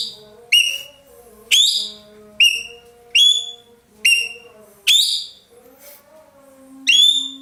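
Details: Roller, the ekek keling of Indonesian bird keepers, firing off loud grating notes that drop in pitch, about one each second, with soft sustained whistling from other birds running beneath.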